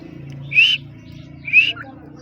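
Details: Dakni teetar, a grey francolin kept for training: two loud whistled notes about a second apart, each sliding briefly upward, over a low background hum.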